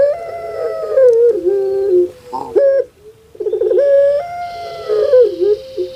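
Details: Long-voiced puter pelung (Barbary dove) kept as a pet in Java, Indonesia, sounding like a crying baby: sustained nasal coos that droop in pitch, broken by a rattling stutter, then another long drawn note with wavering ends.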